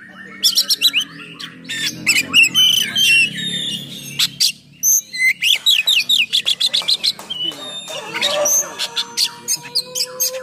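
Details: Oriental magpie-robin singing a vigorous, rough-filled song meant to provoke and train other magpie-robins; rapid trains of sharp clicks and chips, several a second, mixed with thin whistles and scratchy bursts.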